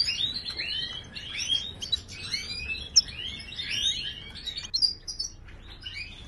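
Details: Moroccan goldfinch song in the wydani style, played to teach caged birds to sing: dense, overlapping high twittering with sliding whistled notes and sharp chirps, apparently more than one bird, with a faint low background hum.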